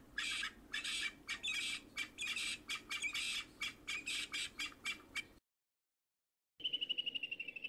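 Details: Giant Kingfisher eating its catch at Sunset Dam near Lower Sabie, Kruger National Park: harsh, grating squawks about four a second, a brief pause, then a quicker run of clipped, rattling notes.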